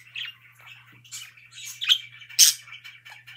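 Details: Budgerigar chirping in a happy mood: short raspy chirps and a loud harsh squawk near the end, over a constant low electrical hum.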